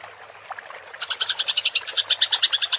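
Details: Rolling chatter of a fighting house sparrow, used as songbird training material: a quiet, scattered start, then a steady run of clear high chirps at roughly seven per second.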